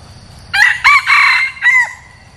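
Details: One crow from a red junglefowl kept as a decoy for luring wild junglefowl. It has a raspy rising start, two strong middle bursts and a brief sliding last syllable, and ends within two seconds in near silence.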